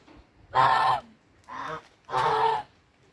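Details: Three rough, buzzy honks from hungry brown Chinese geese: a long one, a softer shorter one, then another long blare.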